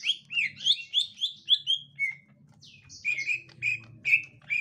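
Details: Gotri-type green leafbird calling on finding a young wild green leafbird: a run of rhythmic whistled chirps, a short pause, then loud repeated clear notes, over a low background hum.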